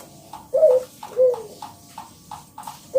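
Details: Local zebra dove whose song lures other doves to call: two strong, short downward coos among soft, quick, evenly spaced higher clicks.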